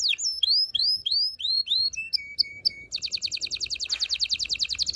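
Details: Canary song meant to excite females and males for mating, opening with a series of swooping, curved whistles repeated about three per second, then short stepped notes, then a fast, dense, even trill.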